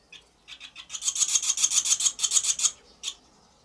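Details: Barn swallow in late April, at a nest where a fledgling sits 8 days after fledging while the mother lays her second egg of the second brood, giving a dry, rasping series of about fourteen scratchy notes at roughly four per second, then one last note after a pause.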